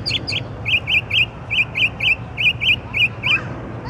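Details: Songbird heard singing in the middle of the night, delivering evenly spaced, slurred chirping notes, roughly four per second, with a closing downward slur; steady low hum behind.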